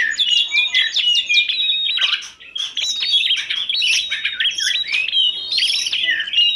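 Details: Birdsong from a compilation of oriental magpie-robin, tledekan gunung and prinia: a fast run of repeated sharp chirps opens the sequence, followed by varied whistles and squeaky notes, briefly softer around the two-second mark.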